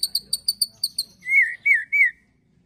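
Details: White-rumped shama singing an agitated ketrekan with cililin and prenjak tir filler, for training birds: seven sharp high ticks in even rhythm, followed by three loud slurred whistles.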